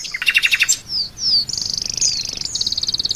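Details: In a brief burst of Oriental white-eye training song, a buzzy rattling trill gives way to two thin upslurred whistles. A long, fast, shimmering high trill follows.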